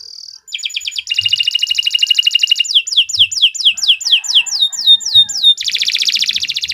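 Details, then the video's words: Canary, long song used for tutoring young birds: a short whistle, then a dense rapid trill, a string of downward-swept whistled notes about every quarter second, and a closing buzzy trill. "Kicau Burung Kenari II GACOR PANJANG Cocok untuk Masteran"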